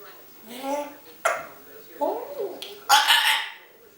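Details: Pet African grey parrot, a chatty female, recorded indoors by a hidden camera, making short rasping speech-like syllables and sliding nasal sounds broken by sharp clicks, with a breathy hissing burst near the end.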